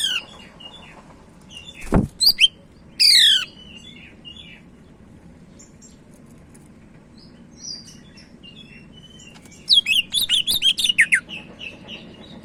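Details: Medan Sumatran leafbird singing in bursts: a few high chirps and a buzzy sweep near the start, a sharp thump, quiet scattered notes, then a fast run of repeated high chattering whistles.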